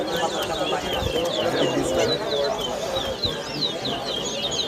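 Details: Chestnut-bellied seed finch, locally towa towa, competing in a 2023 whistling contest at Lusignan bird ground, Guyana; quick, sweet, slurred whistles repeated steadily, a little slower than three a second, with constant background chatter from people.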